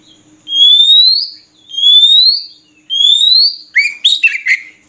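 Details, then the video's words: Oriental magpie-robin singing: three clear, rising whistled notes about a second apart, each sliding upward, then a quick burst of scratchy, chattering notes. "Suara Burung Murai Kampung"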